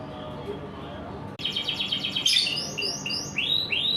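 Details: A canary bursts into song in the morning after a quiet start: rapid rattling trills give way to descending sweeps and looping, arched whistled phrases.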